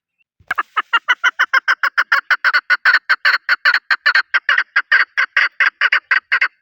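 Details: Chukar partridge, Pakistan's national bird, begins with a click, then delivers a long rapid run of hoarse chuck notes, quickening to roughly four per second and holding steady in strength for six seconds against a silent background.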